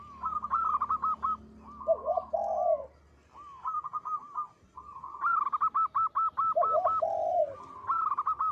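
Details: Actively singing local zebra dove with a big voice: quick strings of staccato notes, each followed by a lower rolling coo, repeated in two full phrases with a short gap.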